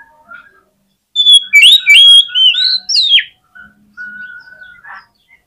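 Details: Oriental magpie-robin singing a combative song to rouse rivals: a loud, fast run of varied whistles, twisting slurs and sharp chips, then a steady, level whistled note and a final brief buzz.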